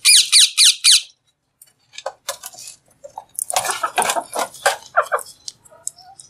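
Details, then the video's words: Alexandrine parakeet, a green talking parrot, vocalizing while eating: four rapid, shrill, harsh screeches in about a second, then a pause and scattered raspy, crackling notes and short squawks. "Green Parrot Talking | Talking Parrot Eating"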